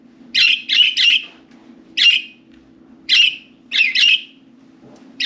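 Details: Four pet budgerigars playing and talking inside and on top of their cage; bursts of bright chirps, some in quick runs of three, others single, with a steady low electrical hum underneath.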